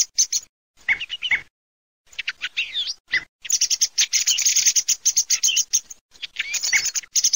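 Song thrush singing bright, varied phrases in quick bursts with short pauses, turning into a dense run of high, crisp notes and whistles midway.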